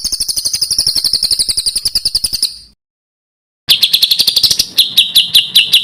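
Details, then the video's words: Small bird with rough 'tembakan kasar' delivery, used to tutor competition songbirds: a long high rapid buzzy trill, a silence, then a quick rattling run turning into loud sharp repeated chips. "SUARA BURUNG KECIL TEMBAKAN KASAR"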